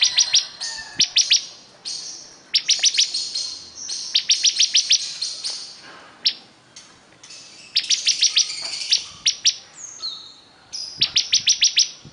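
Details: ['Bar-winged prinia singing vigorously, short clusters of sharp high notes mixed with scattered chips, thin whistles and a few longer buzzy phrases, tempo uneven throughout.']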